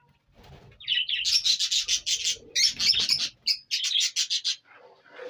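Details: Rapid, harsh, high-pitched squawks and chattering notes from an Indian ringneck (rose-ringed) parakeet, about four calls per second in uneven bursts.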